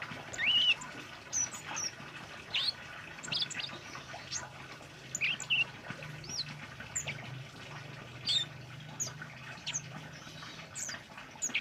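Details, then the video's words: Orange-headed thrush in lively wild-style song used for training caged birds: scattered high sharp whistled notes and quick upward-bending phrases at irregular intervals, amid a busy background of other faint chirps and a low steady hum. "Suara Burung Kemade Gacor Ngalas Buat Masteran"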